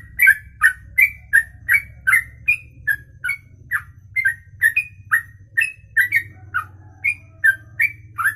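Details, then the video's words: Ropelan, a long one-breath song lasting over two minutes, from a bird: crisp whistled notes in paired and single bursts about three per second, over a constant low humming background. "Inilah Ropelan Sekali Nafas 2 menit lebih"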